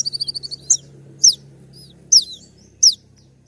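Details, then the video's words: Kolibri ninja sunbird singing sharply: a quick run of high pulsed notes followed by four piercing downward-slurred calls spaced less than a second apart, over a faint low hum. "putar sekali koninmu pasti nyaut masteran suara tembak yang buat konin emosi"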